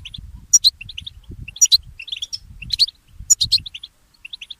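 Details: Early-morning song of a goldfinch hybrid (mule goldfinch): bright, high twittering phrases about once a second, each led by a sharp piercing note, with quiet low background rumble.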